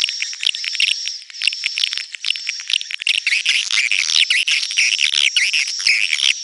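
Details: Swiftlets in a 'netral' (neutral) style sound: a dense, continuous chorus of high, sharp chirps and twitters from many birds overlapping, with a faint steady high whine running beneath throughout.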